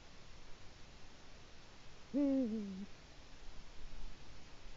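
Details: Eurasian eagle-owl at its nest on an autumn evening, 1 October 2017 at 19:02, calling to mark its territory while digging the nest bowl: one deep, hollow hoot lasting under a second that drops slightly in pitch, over quiet background hiss.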